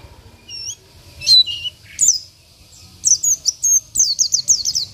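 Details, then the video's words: Local Oriental white-eye singing to provoke rivals: varied high whistles and slurred notes at first, then a quick string of sharp, repeated descending chirps. "PLECI BIKIN EMOSI LAWAN || Pleci Lokal || Pleci Isian"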